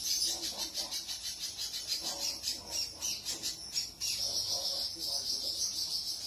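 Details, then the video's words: Spiderhunter singing energetically: a fast stream of high, scratchy chattering notes in quick pulsed bursts, nearly continuous, with a short break midway and a few soft lower notes underneath. "burung pijantung gacor"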